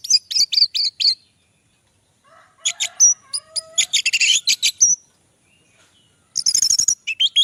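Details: Singing orange-headed thrush, a caged bird in Java recorded on an Android phone: rapid high chattering bursts, a pause, then a busy jumble of sharp high notes with a few lower slurred whistles, ending in more chatter.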